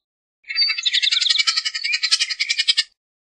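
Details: Harsh, scratchy rattling chatter from a Bullock's oriole, a rapid dense series of rasping notes running about two and a half seconds, otherwise quiet.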